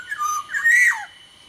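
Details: Sumbawa black-naped oriole (kepodang sumbawa), described as singing vigorously (gacor); a single fluted, whistled phrase that wavers low, then climbs to a brighter note and drops away, over a faint steady high tone.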